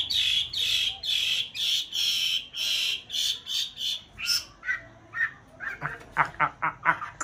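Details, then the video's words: Chinese hwamei (white-browed form) kept in a conservation aviary in a mountain town during the breeding nest-building season, paired birds: a run of loud repeated buzzy notes near the same pitch, then shorter clipped notes speeding up. "họa mi bạch hót hay múa đẹp vào mùa xoáy tổ"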